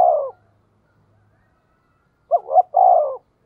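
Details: Spotted dove giving the 'tiếng thúc' call to provoke wild birds. A cut-off falling note at the start, a pause, then a full coo: a short note, a rising note, and a prolonged descending note.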